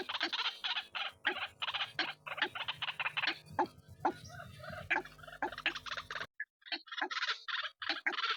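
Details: White-breasted waterhen used as a lure sound: harsh, croaking notes repeated several times a second in a dense chattering run, a brief pause near six seconds, then more scratchy bursts, over a faint low hum.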